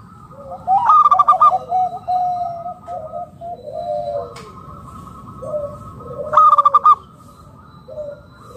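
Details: Local wild zebra dove used to lure other doves into calling, giving two bursts of fast, stuttering, high cooing notes mixed with lower sliding coos, the bursts about five seconds apart, with a faint steady tone behind.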